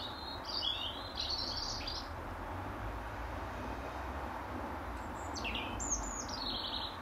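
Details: European robin in the final hour of daylight, perched on its regular branch in an apple tree, singing for its territory: two separate high, sweet, warbled phrases with fast slurred notes and a pause between, against a constant low rumble.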